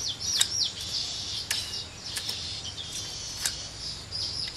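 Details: Basking in the sun after a mist-spray bath on 11 December 2015, a common hill myna makes high, thin chirps and whistles with a few sharp clicks, repeated irregularly over faint background noise.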